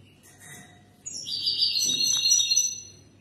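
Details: European goldfinch singing, a recording meant for chicks to learn from: a quiet start, then a sudden burst of high, liquid, twittering notes mixed with buzzy, drawn-out trills that lasts about two seconds.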